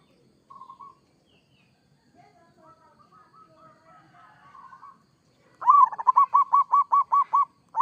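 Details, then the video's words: A local zebra dove sings loud kerot style phrases: an opening swoop, then about nine evenly spaced, ringing cooing notes in a quick series, after softer murmured and warbling notes. "Suara perkutut lokal gacor kerot AMPUH bikin nyaut seketika"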